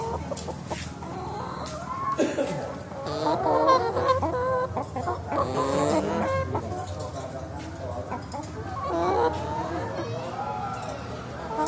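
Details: Chickens loaded into a vehicle ahead of slaughter, many birds giving overlapping harsh, wavering squawks and clucks in uneven bursts over a steady low engine hum.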